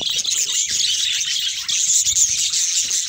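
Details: A flock of budgerigars of several colour mutations makes steady high-pitched twittering, with scratchy and rattling notes layered over one another, and no pauses.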